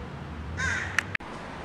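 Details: Eurasian hooded crow in a park, near a fledgling that a magpie pair had just attacked, gives one harsh, rasping caw of about a quarter second, then two short clipped notes, over a low steady rumble.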